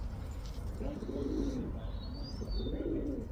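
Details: Cooing male pigeon calling to a female: two separate low, burbling coo phrases with a short pause between them, and a thin high whistle briefly heard behind the second.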